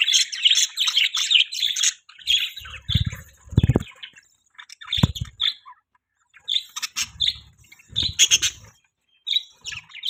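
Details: Budgerigars kept as pets give runs of scratchy, twittering chirps in clusters separated by brief silences; several dull low thuds sound in between.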